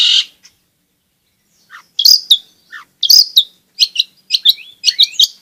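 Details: Long-tailed shrike in constant song, used to lure reluctant shrikes into singing and to teach young birds. After a pause, varied sharp chirps and quick upward-sweeping whistles follow in a lively, irregular sequence.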